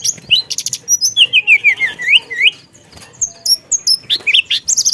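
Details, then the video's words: Energetic rolling song of a Hill Blue Flycatcher, called teledekan, packed with mixed phrases: buzzy bursts, a wavering run of down-slurred whistles, then high thin notes and scratchy trills about three per second. "Burung Teledekan Gacor Dorr Ngeroll Isian"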